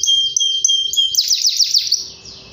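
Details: Canary in full song, described as 'gacor' (singing loudly and continuously): high whistled notes, a steady pure tone, then a fast run of descending sweeps before fading out.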